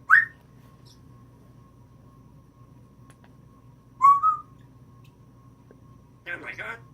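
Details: Female African grey parrot kept as a pet indoors, which imitates sneezes, laughter and a phone messenger ring, gives short sharp whistled notes at the start and again near the middle, then a brief harsh burst, with quiet pauses between.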